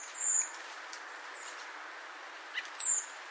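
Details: A Redwing (Turdus iliacus), a winter thrush, gives its flight call: two thin, high, indrawn whistles about two and a half seconds apart, each slightly falling, over a faint steady background hiss.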